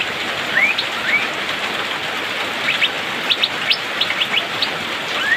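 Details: Asian fairy-bluebird singing in the rainy season: a few rising whistled slurs and short sharp upward chirps spread over a few seconds, with steady rain hiss throughout.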